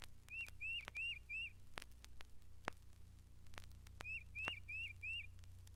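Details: Tufted Titmouse at Mountain Lake Sanctuary, Lake Wales, Florida, singing clear, whistled peter-peter-peter phrases, four quick notes per burst with pauses, over the clicks and hum of an old recording.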